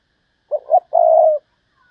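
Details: Decoy spotted dove calling to lure wild doves: two short low coos followed by one longer, steady, slightly falling coo, in a quiet background.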